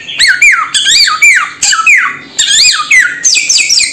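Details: Samyong bird uttering repeated harsh, ringing squawks, each rising briefly then falling, about seven calls over four seconds in small clusters.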